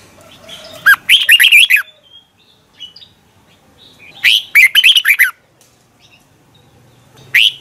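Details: Red-whiskered bulbul practising its morning song as a lure bird: two lively phrases of warbled, up-and-down whistles about three seconds apart, each near a second long, with a third phrase starting at the end.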